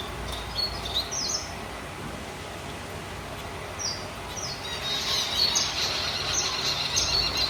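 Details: Zebra finches in a small breeding colony setup with a feeder give short, high, nasal chirps scattered over a steady background hiss.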